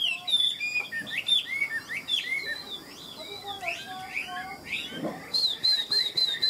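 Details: Tame caged Chinese hwamei performing ngũ trường song: a dense, varied medley of quick whistled and twittering notes, ending in a regular series of high, clipped notes.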